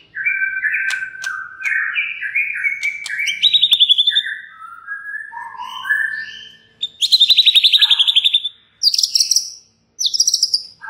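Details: White-rumped shama song used to provoke other shamas to sing, a rich varied stream of clear whistles, stepped phrases and fast high trills, with loud rapid rattling bursts toward the end.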